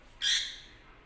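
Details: A single shrill, grating squawk from a yellow lutino lovebird, loud at onset and trailing off within half a second.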